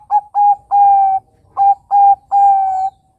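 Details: Zebra dove, Bangkok type, singing a lure song for young doves: two groups of clear mid-pitched coos, each with short clipped notes that lengthen into a sustained level final note, in a quiet setting.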